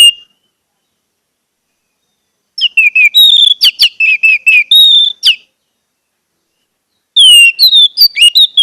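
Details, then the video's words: Orange-headed thrush song used to coax silent birds into singing: after a silence, a long varied phrase of quick whistles and sharp clicks, then a later burst of descending whistled notes, with clean quiet gaps. "pancingan anis merah agar anis merah macet cepat bunyi dan gacor"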